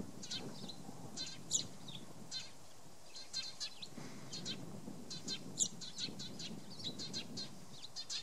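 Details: On 30 March 2015 on Tatyshev Island, Krasnoyarsk, Eurasian tree sparrows taking up nesting sites chirp in short bright bursts, several birds chattering irregularly over a steady low rumble.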